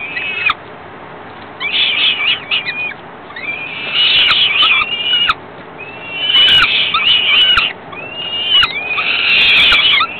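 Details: Young falcons calling while their mother feeds them, a few hours after being ringed: bursts of hoarse, screechy cries lasting one to two seconds, separated by short quiet gaps, several chicks overlapping.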